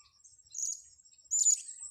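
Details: Blue-crowned hanging parrot in a luring setting: two quick, sharp, very high-pitched squeaky chirps over a steady thin high tone.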